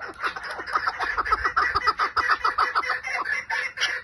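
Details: Chukar partridge in 'lal' style: a fast, chattering stream of short, clipped notes, roughly three to four per second, with a faint low rumble beneath.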